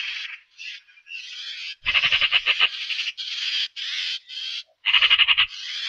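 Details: Eurasian magpie chattering harshly: a few thin opening notes, then powerful rapid rattles and extended coarse buzzing phrases with brief silences between them.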